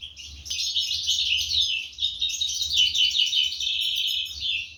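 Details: Parent goldfinches feeding their chicks, 2023; unbroken, intense high-pitched chatter of overlapping squeaky notes throughout, with a sharp click near the start.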